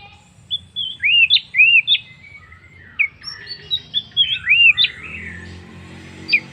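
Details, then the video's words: Orange-headed thrush giving a lure song to get other birds singing: loud rising slurred whistles and sweeping phrases in two bursts, with softer chirps in between and a low background hum. "pancingan Anis merah paling ampuh bikin burung lain ikut bunyi"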